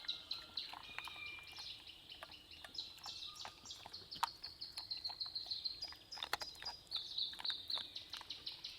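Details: Pair of tuis answering each other in New Zealand rain forest beside a campsite, fine weather: continuous high tinkling and whistled phrases with scattered clicks, some notes repeated in quick short bursts near the end, light environmental hiss.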